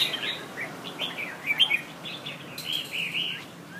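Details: Two contesting Red-whiskered bulbuls in Nha Trang, Vietnam, singing a steady run of short, bright whistled phrases that rise and fall. The phrases come roughly every second with small gaps, and no other clear sounds.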